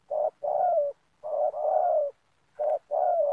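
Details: Spotted dove calling as a lure while birds are trapped in a community oil palm plantation. Short and longer bursts of low, rolling coos, slightly falling, separated by brief pauses, with a faint click near the end.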